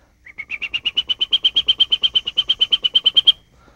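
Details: Chipping Sparrow, a common summer resident that breeds in Missouri: a dry, rapid trill of about twenty high chips at a steady pitch, roughly seven per second, lasting three seconds, with nothing else audible.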